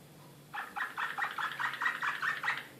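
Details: Excited Serbian Slavujar canary from Belgrade, 2016, singing a run of about ten evenly spaced, rapidly repeated mid-pitched syllables over roughly two seconds in a quiet room.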